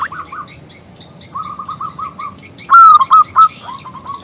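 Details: Local zebra dove with a loud, clear voice calling a male to answer: soft staccato coos in a quick series, then a loud rising note followed by a few strong clipped coos and further softer repeated notes.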